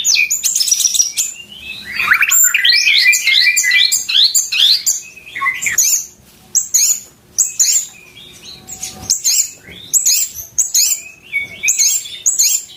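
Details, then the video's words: White-rumped shama singing loudly in bowing posture: a rich burst of fast tumbling whistles at the start, then repeated sharp high notes and short phrases spaced roughly a second apart, some harsh chatter mixed in. "Gaya sujud, materi volume mantep"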